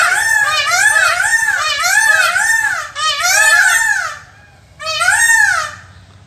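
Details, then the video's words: A male Indian peafowl gives loud, nasal, wailing notes that rise and fall in a rapid series for about four seconds, then a shorter burst after a pause. "sound of peacock পুরুষ ময়ূরের ডাক"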